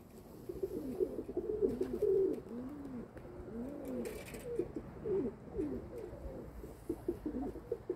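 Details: Domestic pigeons in a loft or yard, cooing steadily throughout in overlapping, swooping, throaty phrases that rise and fall, with occasional soft knocks in the background.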